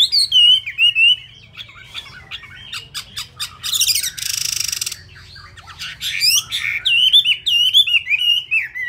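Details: Kept Chinese hwamei, feathers still wet, delivers wavering whistled phrases, scattered clicks and a short harsh rushing burst, then resumes a fast warbling, undulating whistle.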